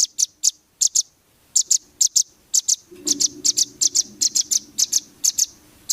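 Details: High, clipped notes from a rambatan, meant as a training song for champion competition birds, given in short bursts of two or three with irregular gaps. A faint low hum runs underneath in the second half.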